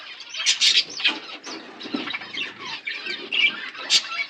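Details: Pet budgerigar pair heard more softly, with sporadic scratchy squeaks and short chirps over a quieter, uneven background.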